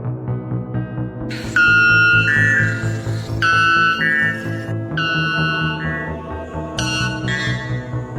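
White bellbird giving four loud, ringing metallic blasts, each a two-part clang, about every two seconds, over steady background music.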